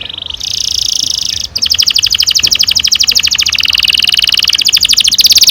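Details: Long-rolling canary song meant to stimulate young canaries to sing. A brief high buzz and a steady trill lead into a long, fast, evenly pulsed roll that climbs slightly in loudness.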